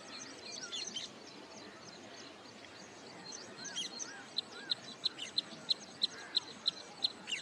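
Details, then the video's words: Wood sandpiper at Hoskote Lake near Bangalore, Karnataka, calling on its wintering grounds close to return migration: faint mixed bird chatter at first, then a steady run of about ten high, clipped single notes spaced roughly a third of a second apart. "Wood Sandpiper Calling and Singing"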